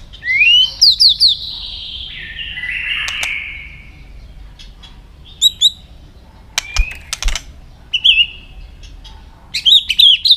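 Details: White-rumped shama with varied song to train other shamas to sing; sliding whistles and a rough buzzy phrase, then sharp clicks, short warbled notes, and a final quick series of high looping whistles.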